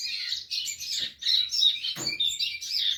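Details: A rusty-collared seedeater delivers a rapid high warbling song of twittering and buzzy notes, briefly interrupted by a sharp knock near the middle.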